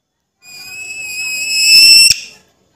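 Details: Alexandrine parakeet talking: one long, steady, harmonic-rich tone of nearly two seconds that swells louder toward the end, then cuts off sharply with a click.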